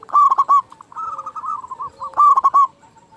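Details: Loud local zebra dove, a lure to make other doves call quickly: two emphatic bursts of four short coos with a softer rolling trill in between.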